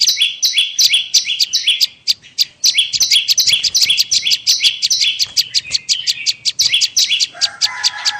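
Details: Bar-winged prinia call used to lure birds: quick run of stepped-down two-tone notes with crisp ticks between, briefly pausing, then a lower buzzy warble at the end.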